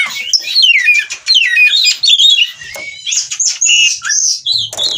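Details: Oriental magpie-robin in breeding condition, eager to mate, singing in the ngobra style: a rapid run of varied clear whistles, sliding notes and short buzzy phrases in a high register, with brief pauses between bursts.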